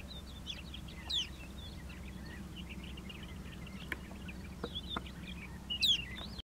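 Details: Snow bunting chirping on a pole between Kutawagan Lake and Dafoe, Saskatchewan, on 10 October 2015 at 9:30 a.m., 15°C, little wind; a steady patter of short, high chirps with two louder sliding whistles over low wind rumble.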